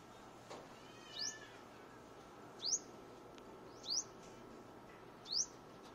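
A Luzon sunbird gives four thin, high notes that sweep quickly upward, spaced about one and a half seconds apart, over a steady low background hiss.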